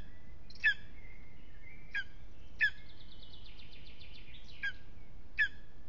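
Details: Evening at an aspen nest in Aizkuja, Latvia, where a lesser spotted eagle is restless: five sharp, spaced yelping notes, while another bird's rapid, thin trill runs in the background between them.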